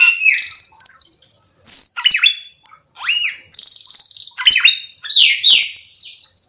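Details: Song of a black-winged myna: long, shrill, buzzy whistles alternating with falling and rising sweeps and sharp clicks, continuous and loud, with no other sounds.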